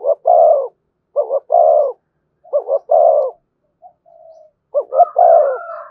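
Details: Spotted dove singing in the thổ style with thúc and kèm phrasing: clear, mellow, low cooing phrases, a short double note followed by a longer rolled coo, repeated about every 1.2 seconds, with a brief faint note midway and a slightly higher overlapping tone at the end.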